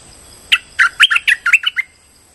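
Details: Streak-eared bulbul giving a lure call: a quick run of about eight bright, chirpy notes in just over a second, slightly buzzy and falling at the end, against a quiet background.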